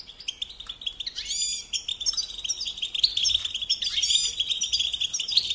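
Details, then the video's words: Goldfinch delivering a steady, rapid twittering song of high chirps mixed with sweeping slurred notes and buzzy trills, growing busier toward the end. "Supporting and Singing Along with Goldfinches"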